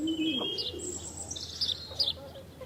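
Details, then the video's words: A house sparrow (Passer domesticus) gives a few short, bright chirps over about two seconds, with a soft, low cooing note in the background. "House Sparrow [Passer Domesticus] Sound Effect"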